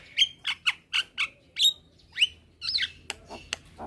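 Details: Daytime exchange of Javan mynas, a young bird calling companions: a string of harsh squawks about every quarter second, a rising whistle, then scratchy chatter over a low hum.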